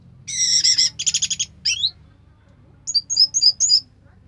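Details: Orange-headed thrush, locally anis merah, singing 'sampai teler': two dense buzzy rattles, a rising slurred note, a pause, then a quick series of bright high chirps.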